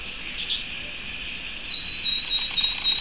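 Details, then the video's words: Canary singing softly: high rolling trills and quick repeated chirps, building in loudness toward the end, with a thin, steady, high-pitched whistle running underneath. "Vogi der kanarienvogel"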